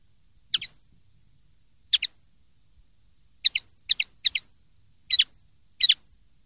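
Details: Clean-song common linnet, 2023/2024 recording: a string of short twittering double notes, bright and high, coming irregularly, bunched together in the middle and spaced wider at the start, over silence.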